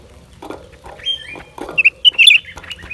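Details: Lesser green leafbird recorded in January 2023; lower muffled sounds open the recording, then a burst of sharp, high whistled notes and twisting chirps in the final second.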